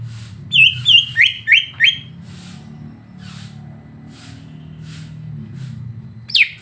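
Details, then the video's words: Greater green leafbird song from a recording meant to provoke a bird: five fast, evenly spaced whistled notes slurring down, then quiet hum and a single steep descending note at the end. "Masteran untuk cucak ijo biar terpancing emosi"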